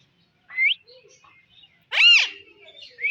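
Alexandrine parakeet giving harsh, screechy calls: a short rising squawk, then a louder, ringing arched screech a second later, with a clipped cry at the end.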